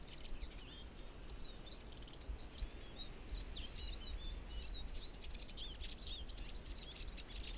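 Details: Siskins in a spring forest in Berezinsky Biosphere Reserve, Belarus, several birds: continuous high twittering chatter of short slurred whistles and chirps, overlapping voices throughout, with low background rumble.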